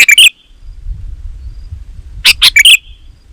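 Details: Sooty-headed bulbul song played to call other bulbuls: two bright phrases of three or four quick chirps ending in a ringing whistle, separated by a two-second gap filled with low rumble.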